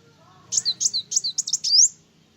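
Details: A sunbird's vigorous song, said to anger other birds: a short string of about seven high, sharp chirps and slurred squeaks, closing with a bright rising whistle.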